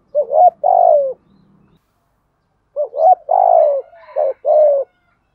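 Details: Decoy cooing of spotted doves, both male and female, for stimulating doves to call: two bursts of deep, rounded coos, the second longer with four notes rising then falling.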